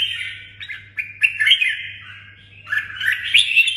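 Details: Singing red-whiskered bulbul, a kept bird from Đồng Nai: a short sequence of smooth, wavering whistled notes, one held phrase drawn out before a brighter rising flourish, over a soft low hum.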